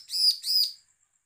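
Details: Bar-winged prinia gives a threatening call of two harsh, buzzy, high-pitched notes in quick succession, each about a third of a second long, with nothing else heard. It is used as a lure to prompt other prinias to call.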